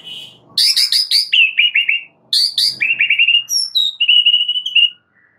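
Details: Oriental magpie-robin (murai batu) master recording used to train caged birds: two loud bursts of sharp, high chips running into quick descending trills, then a clear sustained whistled phrase ending abruptly.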